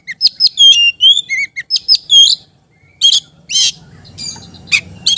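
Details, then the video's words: Oriental magpie-robin delivering quick, ringing whistled phrases mixed with harsh chatter. The song ends in a few buzzy notes over a low rumbling background. "KICAU KACER GACOR‼️ cocok untuk ngetrek kacer malas bunyi"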